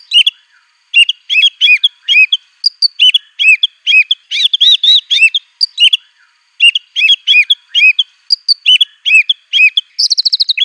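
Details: White-rumped shama in aggressive song with imitated canary, cililin, cungkok and ciblek material; steady clusters of bright arched chirps repeated again and again, ending in a very fast high trill.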